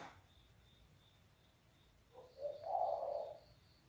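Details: Spotted dove, its voice described as bass and very loud: after near silence, a brief low note leads into one drawn-out, hoarse, low coo lasting about a second, with faint steady high ticking in the background.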